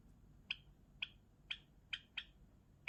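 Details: Java sparrow song as a steady series of six sharp, ringing chirps roughly every half second.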